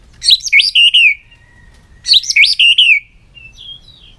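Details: White-rumped shama singing in many voices while tail-flicking on its perch: two rich whistled phrases about two seconds apart, each a quick run of looping, slurred notes ending in a falling trill, followed by faint high whistles.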